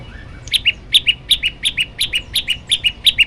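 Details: Variation-style master recording of an olive-backed tailorbird: after half a second of quiet, around nine loud sharp two-note chirps, high then lower, repeated almost three times a second in a steady run.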